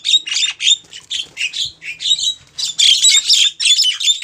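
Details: Female Javan myna calling a male: a steady run of loud, harsh chattering bursts, about four per second, rough and squawky.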